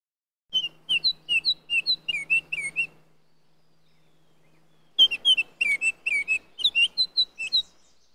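A Baltimore oriole gives two bursts of clear, whistled notes, each about two and a half seconds long, with a pause of silence between them.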